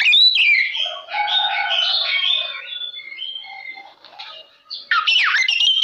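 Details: Oriental magpie-robin in full, energetic song, used as a lure to provoke other magpie-robins into responding; rich run of varied whistles, warbles and rapid chattering phrases, a brief quieter gap, then a loud burst of sharp sweeping notes.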